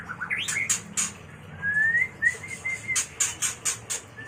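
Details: Mating song of a white-rumped shama, played for training and luring birds: short rising whistles lead into a long sustained whistled note, then a run of sharp, high repeated chips.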